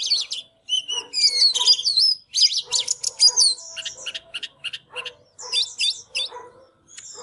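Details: Oriental magpie-robin (Copsychus saularis), song.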